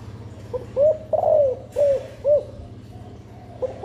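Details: Female spotted dove cooing to encourage nesting and egg laying and to rouse males; one phrase of low hollow coos with a drawn-out warbled middle note and two short endings, plus a brief rustle and a coo starting at the close.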